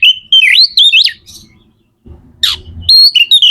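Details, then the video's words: Magpie-robin (kacer) song meant to set other birds singing: loud whistled notes rising and falling in a wavy phrase, a pause with low hum, then a harsh burst and more whistles. "Suara kacer gacor / DONGKRAK EMOSI KACER DAN JEBOLIN BIRAHI BIKIN KACER CEPAT KONSLET"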